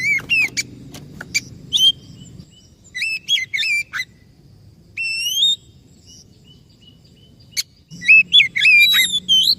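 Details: White-rumped shama song meant to coax a stressed or silent bird into singing: short phrases of clear whistles, sweeping slurs and sharp high notes, broken by quiet gaps, over a faint low hum.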